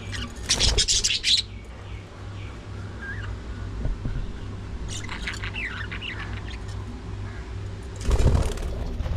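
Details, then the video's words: Budgies during early morning feeding, with harsh squawking bursts at the start and end and softer chirps between them, over a constant low hum. "Budgies Full Time Activities | Early Morning Feeding Time"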